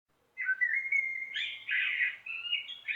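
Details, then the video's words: Common blackbird song: fluted whistled phrases that waver and glide, followed by a brighter, busier twittering ending, with no other sounds. "Canto de Melro - Som de Melro"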